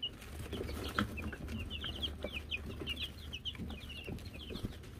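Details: Wyandotte chicks (Silver Laced, Gold Laced, Gold Laced Blue) on a chicken cam in May 2022, playing with a bell: many quick, high, falling cheeps overlapping in a busy chorus, over steady low background noise.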